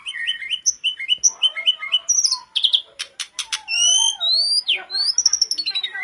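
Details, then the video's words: Mountain tledekan (sooty-headed bulbul) in vigorous song as a training lure: rapid repeated chip notes, loud dry clicks, long sweeping whistles rising and falling, ending in quick chattering. "TLEDEKAN GUNUNG GACOR DOR,pancingan terbaik buat tledekanmu"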